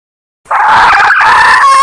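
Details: Calling to attract a male, a Sumatran female red junglefowl gives a single sustained, hoarse, nasal call that starts abruptly and carries on steadily to the end.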